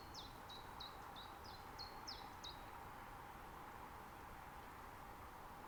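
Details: Common chiffchaff in a nature reserve in Estonia, mid-spring, recorded on a Zoom F6 with Sennheiser MKH 8040. A quick run of about eight sharp, high notes seesaws between two pitches, then stops, leaving quiet low hiss.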